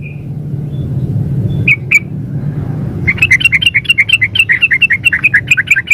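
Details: Sooty-headed bulbul female calling a male: a soft whistle and two isolated chips, then a long, fast chattering series of about twenty bright bubbling notes lasting three seconds, over faint low rumble.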